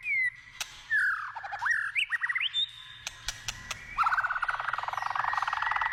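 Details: Forest-dwelling wild white-rumped shama giving a varied song: sliding whistles, short stepped notes, then a fast rattling trill lasting about two seconds, with scattered clicks.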